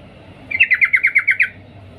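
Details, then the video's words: Female sooty-headed bulbul calling to attract a male, a single second-long rapid series of about eight sharp chattering notes at a steady pitch, with faint low background hum. "Suara trucuk Betina memanggil Jantan Cuk cuk"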